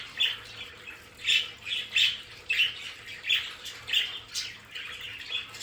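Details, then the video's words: Pet budgerigars in their home play area give harsh, squawky chattering calls in short bursts, roughly one burst per second at irregular intervals, with a faint steady hum behind them. "Sonidos de periquitos Australianos"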